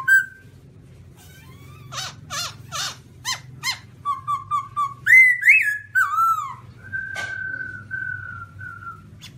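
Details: Black-throated laughingthrush of the white-cheeked form singing: a short whistled note, then a rapid run of buzzy, harsh notes, a string of clear whistles, rising slurred phrases and a long level whistle, over a low hum.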